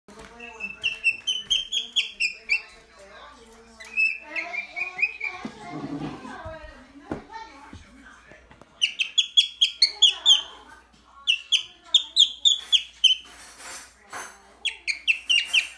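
A cockatiel sings a series of clear, rising and falling whistled notes in quick bursts.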